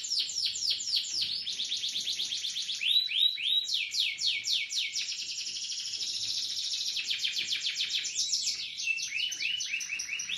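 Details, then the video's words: Canary singing a long, continuous high song of rapid rolling trills, each phrase a quick series of repeated descending notes, shifting pitch and speed every second or two, with no pause throughout and no other clear sounds. "KENARI TOP PERFORM"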